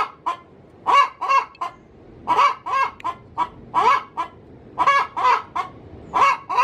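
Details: A laying hen calls from its coop with a steady string of coarse, nasal clucks, grouped in twos and threes and repeated about forty times a minute.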